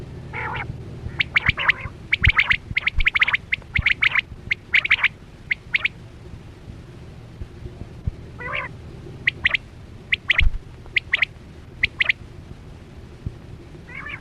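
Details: Chora quail (batera) calls used as a hunting lure with nets: short sharp clipped notes near the upper-middle range, delivered in quick bursts of two to four, with pauses and a few harsher buzzy notes, over low background hum.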